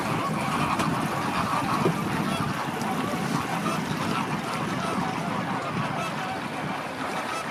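A flock of flamingos gives a dense, continuous babble of nasal, goose-like honks over a steady rush of water or wind.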